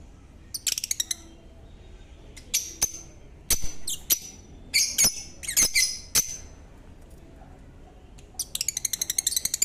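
Lovebirds give shrill, high chirps in short bursts, ending in a fast, clicking chatter, with a few sharp taps in between.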